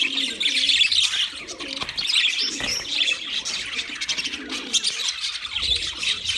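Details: Wild budgies in full chorus: nonstop high-pitched chattering and twittering, with soft low coos drifting in now and then beneath the flock.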